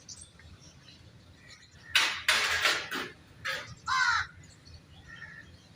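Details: Common myna, a shy wild-natured bird of the subcontinent frequenting yards and kitchens, producing a burst of loud harsh noisy squawks followed by a clearer descending gurgling note and a soft whistle.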